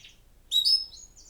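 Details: Male pet canary Julius, indoors in an apartment in Port Huron, Michigan, on 1 March 2025, chirps but is not singing yet while a recording of birdsong plays to teach him: a faint high chirp, then bright quick sweet chirps ending in a thin sustained whistle.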